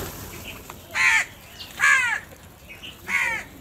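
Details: Three loud, coarse crow caws roughly a second apart, each buzzy with a slight downward bend, from a large gathering of crows, with soft fainter calls between them.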